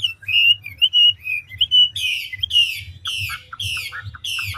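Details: Old wild-caught Chinese hwamei singing ngũ trường style with fast voice changes: clear whistled slurs, then loud rasping descending sweeps repeated roughly twice a second, low hum underneath.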